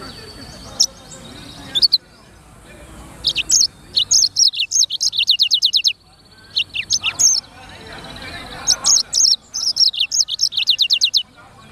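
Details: Lively gacor song of a black-throated canary (sanger): high sharp chirps followed by bursts of quick repeated notes in fast runs, separated by short pauses.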